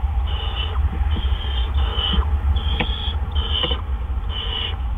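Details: Nesting barn owls on an April 2013 evening, 8 PM, while adults bring in gophers: six short raspy hisses, each about half a second, with faint clicks and scuffs beneath and a constant low hum.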